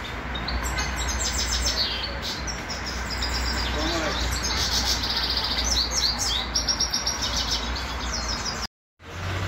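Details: Grey-crowned goldfinch from Khujand in lively song, rapid liquid twitters and buzzy, tinkling trills run almost without pause, with a low droning hum beneath and a short silent gap near the end.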